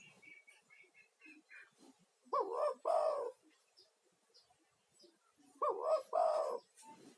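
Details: Male spotted dove giving a lively lure call to attract others of its kind, also played to soothe stressed caged doves. Two paired coos, a short throaty note and a longer rolling one, sound about three seconds apart. Thin high twitters are heard between them.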